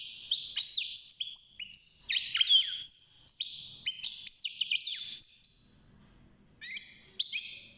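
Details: Young caged European goldfinch aged six months, newly singing: about six seconds of fast jumbled twittering and tinkling high notes, then a pause and a few scattered chirps.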